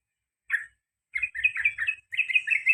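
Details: Male sooty-headed bulbul in a cage, singing garuda and ropel panjang phrases. A single note is followed by a short pause, then a rapid, chattering cluster of slurred whistles.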